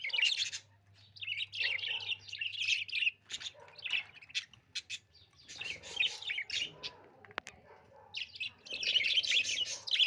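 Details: A budgie chirps and warbles in long chattering stretches separated by quieter spells, the bursts bright and scratchy, with a single sharp click and a faint low hum behind.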